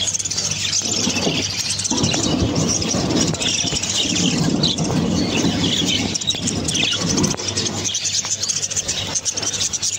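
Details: Jumbo budgerigars in rainbow, yellow and white colours chatter in a constant stream of high, scratchy warbles and chirps over a low hum.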